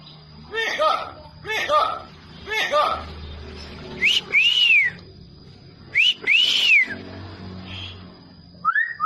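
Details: A bird imitating human speech: three hoarse, speech-like syllables in a row, then two clear whistled notes that rise and fall in smooth arches, ending with a short rising whistle.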